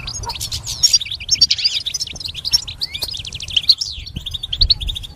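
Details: Goldfinch singing a fast, liquid stream of twittering notes, chirps and short trills, with a brief rising whistle near the middle and faint low background hum.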